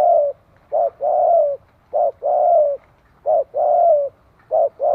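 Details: Rapid Spotted dove cooing for training decoy birds, brief hoot then long hollow coo, the pair repeated roughly every one and a half seconds throughout, background quiet.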